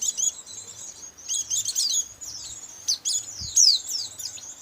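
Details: Lure sound for catching white-eyes in Indonesia: high twitters and sharp downslurred whistles in uneven bursts, with a faint low hum and a brief thump.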